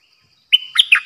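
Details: New decoy Streak-eared bulbul, 06/05/2022, opening with a clear whistled note that breaks into quick slurred chirps.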